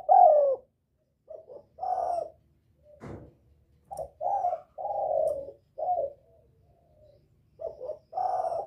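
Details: Spotted dove calling to attract a male as a wild-bird lure: many low mellow coos in short bursts and long falling notes, with a single sharp knock partway through.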